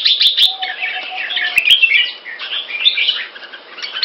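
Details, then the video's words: Captive red-faced Red-whiskered Bulbul from Singapore in loud, clear song. Rapid warbling phrases of chirps and slurred whistles pour out almost without pause. Several sharp ticks and knocks break in, with a faint hum underneath. "Jambul - สิงคโปร์เลี้ยง นกหัวจุก Red face Pama Dha Burmese sword Clear Loud Keke"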